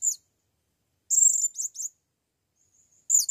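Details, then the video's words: Blue-crowned hanging parrot brought to the forest for the first time, calling a female: brief squeaks, then a loud run of thin, piercing, high chattering notes, with a faint high note before the final burst. "Serindit memaggil BETINA"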